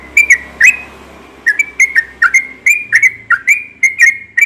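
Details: Melodious yellow-vented bulbul singing in the morning, as it often does. Clear whistled notes, some dropping in pitch, follow in a lively, uneven chain. A low hum sounds faintly at the start.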